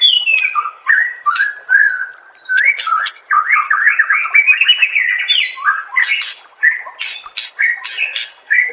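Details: Master recording of white-rumped shama for songbird training: varied whistled phrases, a fast rising-falling chatter run mid-way, then loud sharp clicks and whistles.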